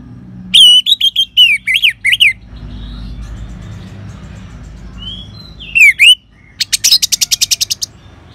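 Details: An orange-headed thrush (Geokichla citrina) sings bursts of rich, looping high whistles, pauses over a low hum, then rattles off about ten quick, sharp repeated notes.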